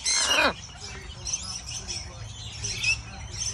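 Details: Baby macaw sharing food with a friend lets out one loud, grating half-second screech that drops in pitch at the end, followed by quiet outdoor ambience with distant chirping birds.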